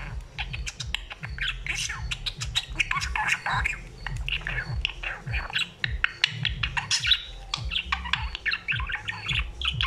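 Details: Budgerigar in a long, busy chatter of sharp clicks, rasps and squawky warbles, with a low rumble running beneath.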